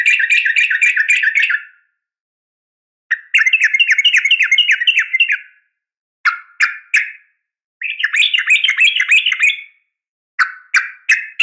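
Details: Female yellow-vented bulbul calling a male, a sharp fighting call used to provoke caged bulbuls into answering; bursts of rapid bubbly chattering notes, several seconds long, separated by short pauses, then clipped two-note phrases.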